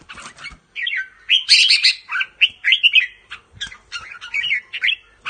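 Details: Caged red-whiskered bulbul of the Pa La-u line, singing and giving chattering 'rik' notes: quick bright warbled phrases, rising and falling whistles, with short gaps and faint clicks.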